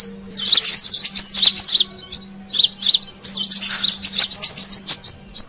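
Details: Lure call of a Brown-throated sunbird for drawing in wild birds, Indonesia: energetic bursts of piercing high twitters and zigzag chirps in three main phrases.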